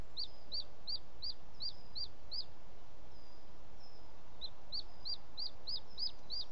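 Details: Male booted eagle calling while bringing an unidentified bird as prey to the nest, late evening, 18 June 2017, Els Ports Natural Park: high, thin, down-slurred yelping notes in a rapid run, a pause, then the run resumes against steady background hiss.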